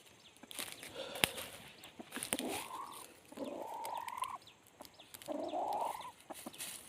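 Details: Red junglefowl decoy calling to lure wild junglefowl during trapping. Three drawn-out, harmonic calls, each about a second long, rise and level off with a brief pause between them. Sharp clicks and rustling sound in the background.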